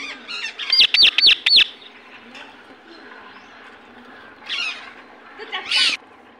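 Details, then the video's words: Indian ringneck parakeet calling: four sharp, shrill notes in rapid series near the start, then a long quiet stretch broken by two louder harsh squawks, over a low background hum. "Natural Voice of Parrot"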